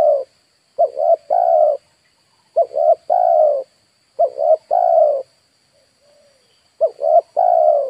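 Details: Decoy spotted dove calling to lure wild birds: low three-part cooing phrases, two short notes then one long drawn-out coo, repeated about every two seconds. A faint steady high electronic whine runs behind.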